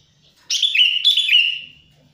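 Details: Wild sooty-headed bulbul singing, a call used to lure wild bulbuls: two loud, clear whistled phrases, each starting with a high attack and sliding into a wavering, falling tone that fades away.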